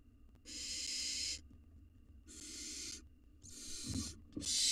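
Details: Hungry wild barn owl nestling in a nest box, eating a mouse: long harsh rasping hisses about a second each, separated by short silences, with a soft shuffling thud near the end.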